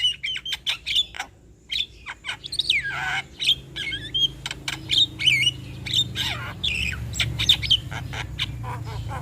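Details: Male Javan myna chattering song used as a lure to draw responses from other mynas: a varied run of sharp clicks, harsh squawks and short bright whistled notes, with a rough rasping burst near the middle, over a low background hum.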